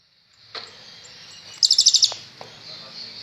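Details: Newly given kolibri ninja sunbird singing well: a hissy, noisy background carries a brief burst of six rapid, very high ticking notes midway, with a few faint clicks around it.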